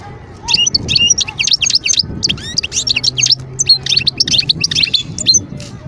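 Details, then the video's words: Wild European goldfinch recorded in 2022 near Skikda, Algeria, delivering a continuous run of fast, high, tinkling twittering notes, jangling and repeated, over a low background hum. "صوت الحسون البري"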